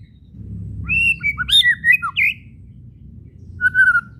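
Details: White-rumped shama whistles and chattering kretekan, used to provoke other shamas to sing: a burst of varied clear whistled notes with sharp clicks, a pause, then a single wavering whistle near the end, with low background rumble.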